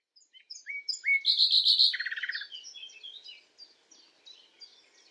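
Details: Common nightingale singing at night: rising whistles, then a loud fast rattle of repeated high notes dropping into a lower trilled burst, trailing into faint varied chirps.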